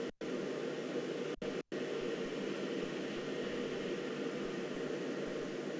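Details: Steady broadband hiss like engine or air noise runs throughout, cut by three brief dropouts, with no animal sound.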